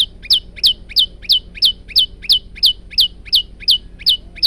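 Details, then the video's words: Training recording of a male prinia: a long steady series of about thirteen crisp falling whistled notes, spaced roughly a third of a second apart. "masteran burung prenjak lumut jantan"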